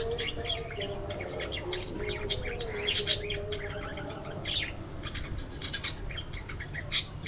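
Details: A budgie flock in an aviary chirps busily, with bursts of bright tweets, squeaky warbles and chattering notes packed closely together. A low, constant hum runs below.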